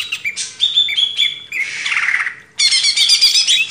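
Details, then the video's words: Greater green leafbird singing on a training master for cage birds: short clear whistled notes, then a harsh sweeping squawk, then a fast, high, jumbled chatter. "MASTERAN CUCAK IJO // LANGSUNG GACOR"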